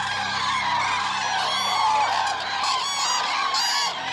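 A flock of common cranes gives loud, rolling trumpeted calls. Many birds overlap in a steady, clamorous chorus with no pause.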